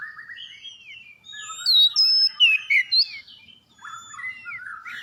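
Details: Oriental magpie-robin in active song, played to get other birds singing: warbled lower whistles, then a loud cluster of bright, looping whistled notes, fading into softer chatter.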